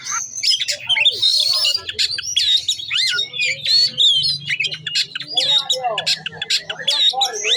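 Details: An oriental magpie-robin showing off its 'bongkar isian' song, a long run of mimicked fragments: shrill whistles, rasping squawks, upslurred and downslurred notes and dense chatter, nearly continuous, over a soft low hum.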